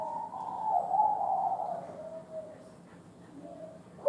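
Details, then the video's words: An old wild spotted dove gives low, soft, hollow cooing notes, a drawn-out mellow coo followed by fainter answering notes, over quiet background hiss. "cu gáy thổ đồng già rừng"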